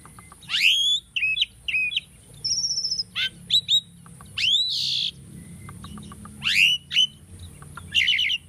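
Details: Caged Asian starling used for bird training sings a varied phrase of sharp upswept whistles, short warbled notes and a steady high trill, separated by brief pauses over a faint background hiss.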